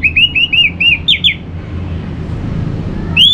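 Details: Orange-headed thrush song, used to stir other birds into singing in the morning: a quick series of five clear, slurred whistled notes, then two sharper rising notes, a lull with steady background rumble, and one final rising whistle.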